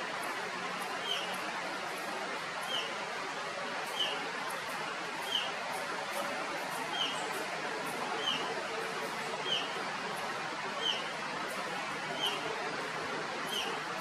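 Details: A rusty-tailed flycatcher in Kerala, India, gives short, thin, high calls about every one and a half seconds over a steady hiss of background noise.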